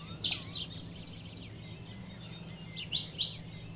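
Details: Calling saffron finch female rousing a male, with a few high chirps and short flat whistles separated by pauses, a faint low hum behind.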